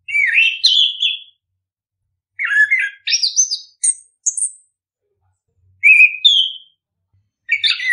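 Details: Orange-headed thrush giving a song meant to get other birds singing: varied, rich whistled phrases that climb to thin, very high notes, delivered in separate bursts with silent gaps.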